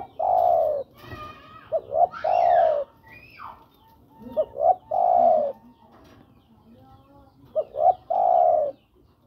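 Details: Spotted dove calling to attract a female: repeated three-part coos, each with brief clipped notes leading into a drawn-out, rich, hollow coo, with about four phrases in the clip. Faint chirps from other birds are heard between phrases.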